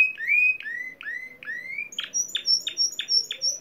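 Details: Discontinuous-style Timbrado canary song: four rising whistled glides repeated about every half second, followed by a rapid run of short, sharp, evenly spaced notes, clean recording without background noise.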